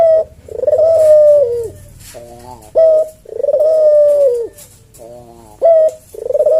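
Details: Caged Javanese collared dove singing the slow senggang style of kuk deruk cooing, used to tutor and lure other doves: long mellow falling coos alternate with short rolling notes and brief clipped coos, about three rounds in under seven seconds, indoors with a background hum.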